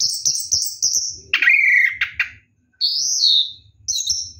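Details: Night-bathing Orange-headed thrush in ngeroll song; a run of high clipped notes, then a loud wavering whistle, a brief pause and a high sweeping whistle, low knocking noises underneath.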